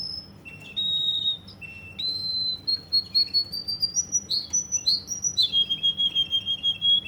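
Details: Russian canary from Kuwait delivering long sustained whistled tones that step gradually upward, then breaking into a fast, regular rolling trill of pulsed notes.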